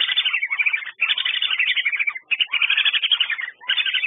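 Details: Calls of whistling ducks: busy chatter of sharp whistled chirps in bursts of about a second, separated by brief pauses, with many notes overlapping.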